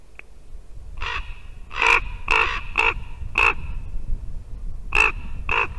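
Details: Visiting ravens at a white-tailed eagle nest in Latvia, 2 December 2019, morning: a run of loud, harsh, rasping croaks in irregular bursts, some paired close together, with a pause midway and low rumble behind.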